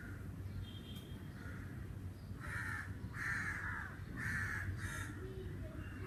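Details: Crow in summer calling a run of loud, raspy caws about one a second, preceded by softer distant caws and a brief high note, with a low hum behind.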